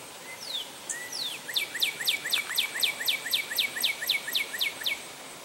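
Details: A male Northern Cardinal sings at St. Johns Conservation: a few loose slurred whistles, then a quick run of about a dozen clear, steeply falling notes, roughly four per second, over a quiet background.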